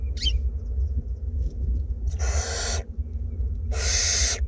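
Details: In a north Glasgow nest box where two barn owlets are being fed, a brief sharp chirp opens, followed by two drawn-out breathy hisses about a second apart, with a low steady hum throughout.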